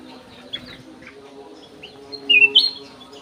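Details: Golden-fronted leafbird in an aviary with a clear song: soft, scattered chirps, then near the end a bright two-part whistle, a dipping note jumping to a higher sustained one, against a steady low hum.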